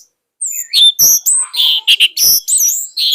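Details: Fierce song of an orange-headed thrush, used to train young birds: strong, clipped phrases with chattering bursts and high whistled notes, separated by short breaks after a brief silent start.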